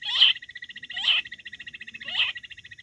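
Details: Wild quail call, July 2024 hunting recording: three strong harsh notes about a second apart, each followed by a fast, even, rattling trill that fills the gaps.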